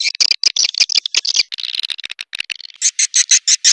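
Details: Swiftlet calls for a swiftlet house: quick, crackling ticks and short buzzy chirps tumbling together, then a steadier series of separate raspy chirps roughly three per second.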